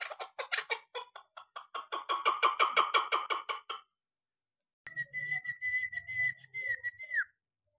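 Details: Chukar partridge, six months old, kept for hunting, giving a fast series of harsh clucking notes about three per second, rising in strength, then a pause and a long whistled tone with quieter background noise.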